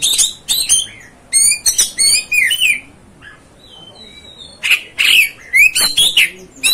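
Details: Provoking song of an Oriental magpie-robin, or kacer: sharp harsh bursts, a cluster of rising whistles, a quiet spell with faint thin notes, then loud scratchy and whistled phrases again.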